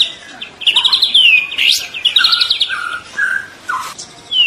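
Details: Young white-rumped shama (trotol) singing energetically: a quick buzzy trill gliding downward, sharp upward sweeps, then a series of short lower whistled notes spaced about half a second apart.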